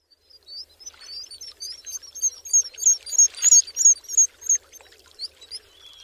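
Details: Black guillemot: thin, very high whistled notes repeated about three times a second, building in loudness through the middle, with short sliding whistles at the start and end and a quiet background.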